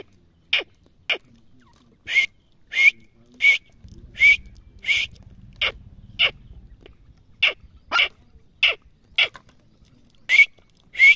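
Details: Grey francolin calling: a series of sharp, bright notes repeated roughly every half second to second, some paired, with brief pauses and a low rumble of background noise in the middle.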